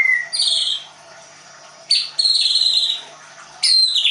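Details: Leuser white-rumped shama from a Tangerang bird-training school, Indonesia, uttering high thin whistled notes in three separate bursts, with quiet pauses in between.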